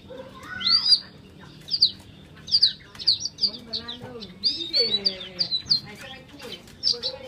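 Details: Caged Chinese hwamei in Hanoi, Vietnam, swaying and nodding as it sings: clear, loud whistled phrases, high and often slurring downward, come in bursts about once a second. Lower warbling notes and faint voices sit underneath.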